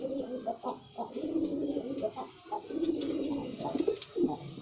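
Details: Male white pigeon performing, cooing in low, throaty, rolling phrases, each swelling and fading over about a second, repeated steadily with short pauses in a quiet indoor space.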